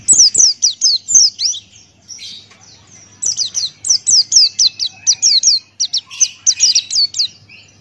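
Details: Energetic Buxtoni white-eye song in the open-beak ngalas manner: rapid rhythmic series of shrill downslurred whistles, around four each second, broken by a short pause before a second longer burst. The background is quiet.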